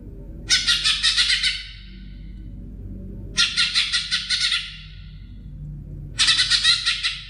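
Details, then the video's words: Three separate bursts of harsh, rapid chattering from a greater green leafbird, each phrase about a second long and repeated roughly every three seconds, recorded for tutoring songbirds, with a low background hum. "Materan Cocak Ijo"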